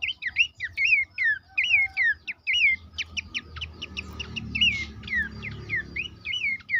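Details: Horsfield's babbler song used as training audio to make caged birds sing: a run of clear whistled notes, each slurring sharply downward, repeated rapidly, then a burst of fast vertical chirps before the slurred whistles resume.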